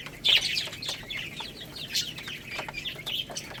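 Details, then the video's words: Chicks feeding on rice: a loud shrill peep opens, followed by softer scattered high chirps from several birds. "Crazy Little Chicks Eating Rice | Cute Baby Chicken Chirping Sounds"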